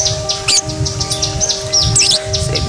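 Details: A male pet budgerigar, about 3–5 years old, chatters in quick, high, scratchy chirps with several birds answering one another over a steady low hum; it sings mornings and evenings and whenever fed. Finding: Budgerigar.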